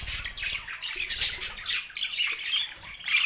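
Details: Harsh, scratchy squawks and shrill chirps from two male pet budgerigars, tumbling over one another in rapid overlapping bursts.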